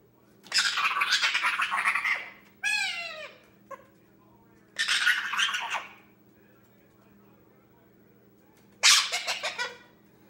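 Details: Pet male Indian ringneck, ten months old, entertaining himself with talk and noises: long raspy hissing bursts of garbled speech-like chatter, a quick descending whistled trill, and a final burst of stuttered syllables, with quiet gaps between.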